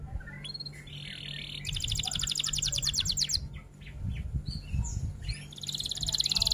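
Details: F1 canary singing long roll-and-'tembak' phrases for tutoring: soft twitter builds into a dense, rapidly pulsed buzzy trill, then scattered chirps and another high trill, over a low background rumble.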